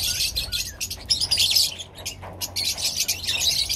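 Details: An assembly of Pakistani lovebirds fills the air with continuous sharp, high-pitched chirping and twittering from many overlapping voices, the calling swelling in loud waves with a brief quieter dip midway.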